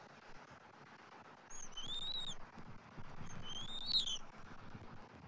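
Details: Bald eagle nest on a Saturday morning in late January 2024, where the adult male delivers fish and feeds the eaglet. Two clear, thin, high whistled calls about two seconds apart, each wavering and slightly falling at the end, over faint low noise.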